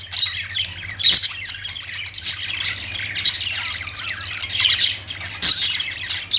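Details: Chorus of budgerigars: constant high warbling chatter punctuated by sharp, louder squawks at irregular intervals of one to two seconds, over a low steady hum.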